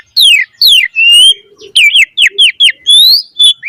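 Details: A vocally active Asian pied starling delivering a rich lure song for training caged birds: loud downslurred whistles, a level whistled note, then quick falling and rising phrases in close succession.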